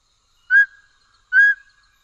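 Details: Mountain scops owl (Taiwan endemic subspecies Otus spilocephalus hambroecki, of dense mid- to low-altitude woodland) gives two clear, level whistled toots a little under a second apart, against a quiet background.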